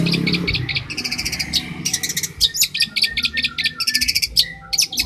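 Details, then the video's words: Long-tailed shrike, a champion, in master song for training other birds: rapid, varied high chatter with sharp whistled accents, delivered in short energetic bursts over low background hum. "MASTERAN CENDET JUARA"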